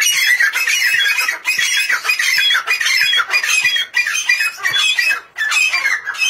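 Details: Grey francolin giving a loud, grating, squawky call in rapid phrases, each lasting about a second with short breaks between. The calling keeps up steadily throughout, dense and high-pitched.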